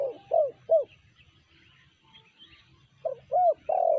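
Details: Spotted dove (tekukur) giving a 'sanji'-style song: two bursts of three arched, hollow coos, the last of each set longer and fuller, with a quiet pause between, against a faint low murmur.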